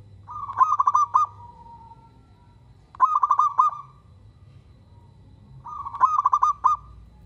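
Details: Zebra dove of a local strain in full song, meant to draw replies from other doves: three bursts of quick stuttering coos, each about a second long, spaced evenly, over a faint low hum.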